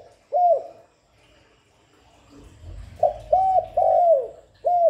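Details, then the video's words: Spotted dove cooing without pause as a lure: one hollow coo, a gap with faint low rumbling, then a clipped note and two long drooping coos. Another coo begins at the end. "Tiếng Cu Gáy GọI, Cu Thúc, Cu Gù liên tục không tạp âm"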